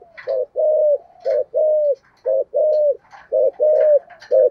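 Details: Decoy spotted dove with a thổ-style voice gives steady deep coos. Short and drawn-out notes alternate, about one phrase a second, with faint clicks and light chirps behind.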